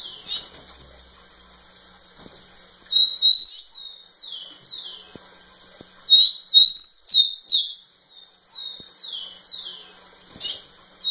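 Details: Rufous-collared sparrow singing to a female: clear whistled notes near one pitch followed by slurred downward-sweeping phrases, repeated in bouts about every three seconds, with faint background hiss.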